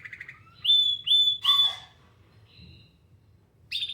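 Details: Canary song fragment: a soft rolling trill, then three loud, clear whistled notes close together, the last one ragged, a faint high note and the start of another phrase.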